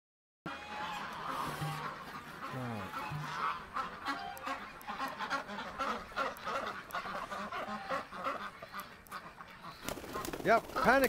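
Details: Domestic duck flock on ice, panicking and scrambling away when the keeper comes in on a November 23, 2017 morning; loud overlapping honking quacks in uneven bursts, with scuffling and clattering noises, growing louder near the end.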